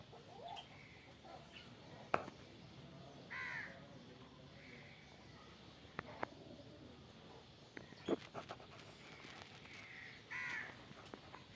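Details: A captive breeder pair of ringneck (common) pheasants; one gives two harsh, hoarse calls about seven seconds apart, over faint background chatter and a few sharp knocks.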